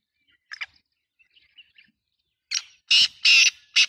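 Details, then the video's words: A black francolin gives a soft scratchy note and a few faint ticks, then bursts into loud, harsh, rasping notes repeated rapidly about twice a second, in a quiet setting. "black tater ki 🔥 voice masti wali"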